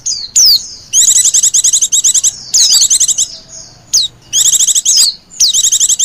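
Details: Lure recording of white-eyes calling, the busy 'pleci ribut' type meant to draw in wild birds: long high chattering runs broken by sharp falling whistles and brief pauses.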